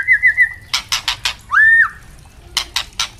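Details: White-rumped shama song used to tutor caged young shamas: a rapidly warbled whistle followed by one strong upslurred then level note, separated by loud dry clicks.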